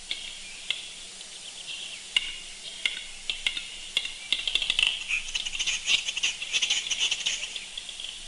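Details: Male western capercaillie (Tetrao urogallus), a large woodland grouse of Scottish pinewoods, display song: sparse dry clicks speeding into a dense run of scraping, rasping notes over the last few seconds, faint low hum beneath.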